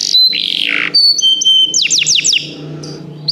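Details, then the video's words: Canary song for song training: a harsh buzzy sweep, thin level whistles, then four or five quick downward-slurred notes, fading to quiet at the end. "Canários Begie cantam muito - o melhor treinamento canário para você"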